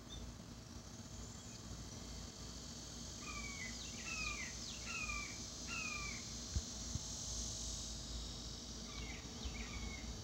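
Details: Young red-shouldered hawks call from the background, complaining that their resident parents won't bring up the chicken hearts the adults are sharing. A run of four short, descending two-part cries, then two more near the end, over a constant high insect hiss.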